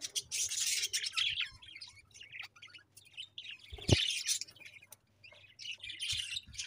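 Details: Pet budgies giving loud dense bursts of high chattering chirps, pausing between outbursts, with a sharp low bump in the middle.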